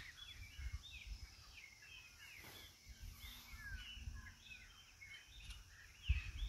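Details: A flock of parakeets feeding in a garden in Santa Cruz, Bolivia, gives many overlapping short, scratchy chirps and squeaky notes, with a steady low rumble of background noise and occasional thumps.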